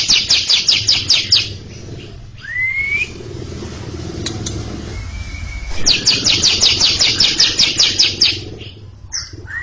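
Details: Greater green leafbird performing a long ngekek before a younger bird that has gone quiet: two runs of rapid high, buzzy chatter notes separated by rising whistled slurs, over a low rumbling background.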